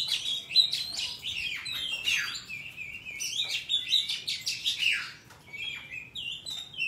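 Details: Wild forest song from an Oriental magpie-robin, used to tutor young birds: clear whistled notes and rapid descending slurs in varied phrases, volume rising and falling, ending with softer notes.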